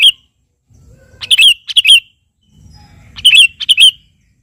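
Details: Sooty-headed bulbul in full song, calling a rival, giving quick clusters of bright chirping notes, two bursts of paired phrases with a faint low hum in the gaps.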